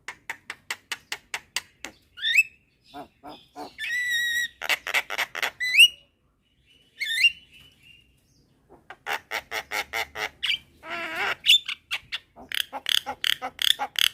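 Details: Midday Javan mynas, a young bird calling its companions and the others replying: rapid trains of harsh clicking notes broken by squeaky rising whistles and grating rasps, the chatter stopping and restarting.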